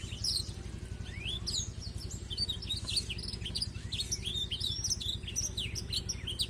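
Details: Continuous chattering song of a black-throated canary, played to teach a canary: quick high twitters, rising slurred whistles and buzzy notes packed closely together, with a constant low droning hum underneath.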